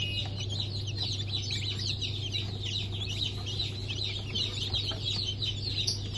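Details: A fresh hatch of Brahma, Fizan, Sultan and Appenzeller chickens from 9 May 2024. A crowd of thin, high, descending peeps runs without pause over a constant low drone.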